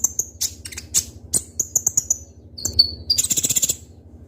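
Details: Sharp, crystal-clear song of a kept Kolibri Ninja (Konin) sunbird in Indonesia: high chirps and short whistles, then a lower sliding note, ending in a fast tight trill of about ten piercing notes. A faint low hum runs underneath.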